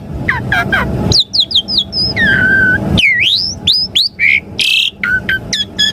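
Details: Lure song of an Asian pied starling meant to set caged starlings singing: clipped chirps, a long downslurred whistle, a broad V-shaped swoop and harsh raspy bursts, delivered in choppy phrases above a low background hum.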